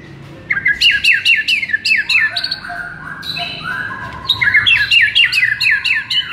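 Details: White-rumped shama masteran song to stir a listless bird into aggression: dense loud bursts of rapid squeaky, chattering notes interleaved with short whistled slides.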